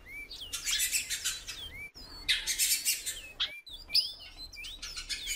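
A female great-billed seed-finch calls almost without pause: bright, high chirps and short slurred whistles in quick, uneven bursts.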